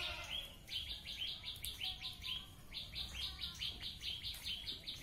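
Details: Wild bird singing in nature, a 'tembakan' style song used as a tutor for white-rumped shamas and oriental magpie-robins: rapid, steady series of short, high chirped notes, about two per second, over faint background hiss.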